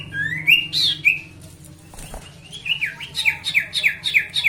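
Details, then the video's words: Sooty-headed bulbul song played to provoke rival birds into singing. Bright whistled, slurred phrases open the clip, then after a short pause come about eight quick, loud, falling whistled notes repeated at an even pace. "pancingan burung sirtu dijamin bikin lawan 100% cepat gacor"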